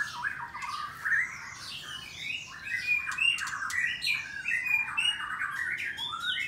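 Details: White-rumped shama singing in a breeding aviary in the morning, Bogor, Indonesia: a loud, continuous run of varied whistled and harsh squawky phrases, rising and falling, packed closely together with brief gaps.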